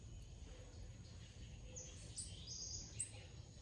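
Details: Blue-gray tanager (Thraupis episcopi), call.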